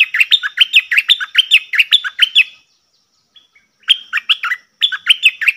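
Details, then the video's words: Lively doubled-style song from a cream-vented bulbul, recorded 18 June 2021: rapid runs of liquid, downslurred chirps repeated about twice a second, pausing briefly before two more quick phrases. "Merbah lekir gacor"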